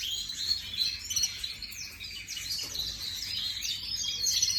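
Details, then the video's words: Canary, an ornamental bird imported in 2024, recorded 18 May 2025, pouring out rapid high chirps and trills, about three notes a second, with some sweeping slurred phrases. "Chim Yến Hót Nhập 2024"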